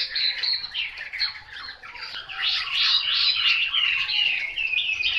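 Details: ['Dense, rapid warbling from a Chinese hwamei, with varied slurred whistles and harsher notes tumbling together almost without a pause, plus a faint low background hum.']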